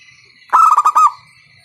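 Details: Local zebra dove with a loud voice, used as a lure call to get other doves singing: a short burst of about five rapid, pulsed cooing notes lasting half a second, over a steady high-pitched background whine.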